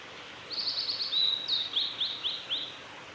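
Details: A male blue-and-white flycatcher sings on a forest road at Lake Miyagase, Japan, on 3 May 2020: a two-second phrase of fluttering whistles, then short notes slurring downward, over a faint steady hiss.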